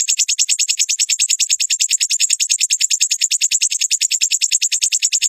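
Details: Ruby-cheeked sunbird (sogon) training recording for caged birds. A continuous, very high, even trill of fast pulses, about three per second, holding steady throughout without pause.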